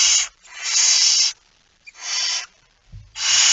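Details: Four breathy, rasping hisses from a barn owl with a mouse in the night of 17 September 2019, 01:49, the second one longest, with near-silent pauses and a faint knock.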